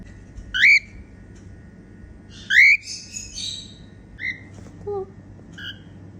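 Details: Female cockatiel singing with happy sounds: two loud rising whistles, a raspy chattering phrase, then softer short whistles and a brief lower note, spaced irregularly over six seconds.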